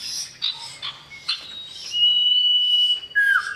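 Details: Male common iora calling a female: scattered chirps, then a clear, prolonged, level high whistle that ends in a lower note curving downward.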